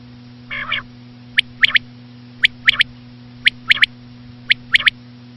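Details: One short nasal note opens, followed by four evenly spaced triplets of sharp, high whistled pips from a common quail, about a second apart, over a low background hum.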